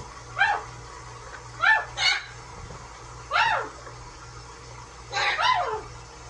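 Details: Big blue parrot taking a bath in a household sink, repeating short falling, richly harmonic squawks, some in quick pairs, about five calls with quiet gaps between.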